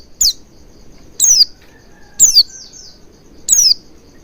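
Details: Lure recording of Oriental white-eye intended to make a bird sing with open beak: four shrill, high notes dropping quickly in pitch, about one a second, the third doubled.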